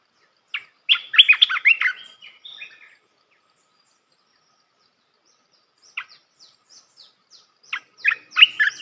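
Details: Red-whiskered bulbul; song; tutor song for teaching young birds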